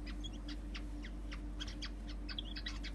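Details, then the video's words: Two birds perched in front of a house window, singing: faint, thin high chirps repeated in loose irregular bursts over a steady low electrical hum. "Two beautiful birds are sitting in front of the window of my house and singing."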